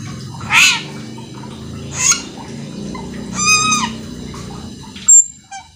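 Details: Cucak keling in energetic song full of quick fills, meant to stir other cucak keling to sing: three separate harsh, nasal bursts with stacked overtones spaced over a few seconds, then a sharp high whistle.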